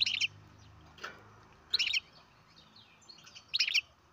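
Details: Baby European goldfinch from captive breeding uttering short high twittered chirp bursts roughly every two seconds over a quiet background hiss.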